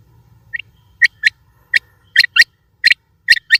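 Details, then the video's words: Quail calling around the time of Eid: short, sharp clipped notes, some single and some in quick pairs, spaced irregularly about once a second over a quiet background with faint low hum. "Batair Ki Awaz"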